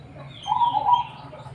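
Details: Zebra dove of the black cemani type, said to sing much with a unique tone: one short burst of rolling, staccato cooing in the middle, with faint thin whistles from other birds above.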